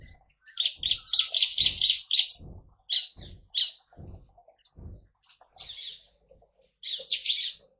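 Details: Bar-winged prinia 'shooting' its song naturally in an Indonesian aviary among white-eyes and finches: a rapid, strident chatter of high notes over two seconds, followed by spaced single chirps and a final short burst, with faint background calls.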